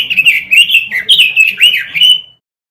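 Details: Robin masteran song for training caged birds. A fluent run of chattering, whistled notes ends in a drawn-out, even whistle before falling silent.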